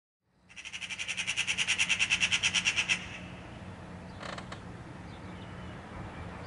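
A Eurasian magpie gives a harsh, rattling chatter of about two dozen rapid dry notes over two and a half seconds, then a single brief scratchy note amid a faint background hum.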